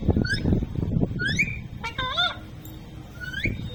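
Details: Talking parrot uttering a few short rising whistled notes and one harsh, stacked nasal syllable over loud low rumbling background noise, with a final upward whistle.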